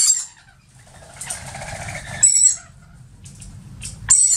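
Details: Young rainbow lorikeet, with the dark beak of a youngster, brought in by an adult near the Gold Coast, Australia, in the morning: short, very high, thin squeaks in brief bursts at the start, middle and end, between quieter rustling and soft chatter.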